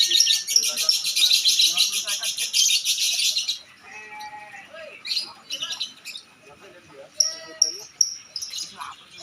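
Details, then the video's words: Lovebird at a bird singing contest: a dense, shrill, fast chattering trill fills the first three and a half seconds, then quieter speech-like voices and scattered sharp chirps follow. "Lomba burung love bird"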